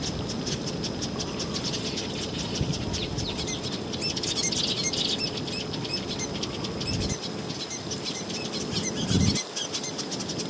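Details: Southern masked weavers, thousands of males building nests and displaying to lure females, on the KwaZulu-Natal south coast in October 2022: dense, buzzy, sizzling chatter from many birds at once, with wing flutters and a low rumble of wind.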